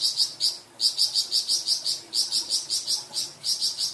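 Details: Kept Flamboyan bird in varied song used as master for cucak ijo and magpie robin, here a run of sharp high chirps repeated about five times a second in short groups over a faint background hiss.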